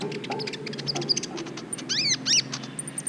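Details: Brown-throated sunbird tutor recording aimed at triggering other birds' mating urge, with scattered thin high ticks followed by a few loud, arched, downslurred whistled notes near the end.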